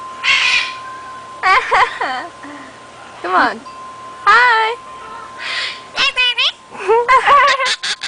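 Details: Talking pet bird imitating speech: short voice-like phrases with wavering, swooping tones, separated by pauses, with a steady faint ringing tone in the background.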